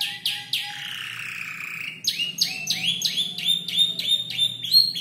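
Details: Young canary, about five months old, mixing imitated ciblek and prenjak lumut sounds into its developing song; sharp chips and a long falling whistle, followed by quick repeated high notes with bright pure tones.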